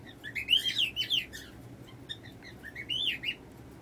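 A cockatiel chirps and warbles in quick, rising and falling bursts of bright notes.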